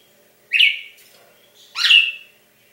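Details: Captive-bred Brazilian cardinal on Christmas morning, 2016: two loud slurred whistles about a second apart, each starting with a quick upward sweep and ending in a held note, against a quiet indoor background.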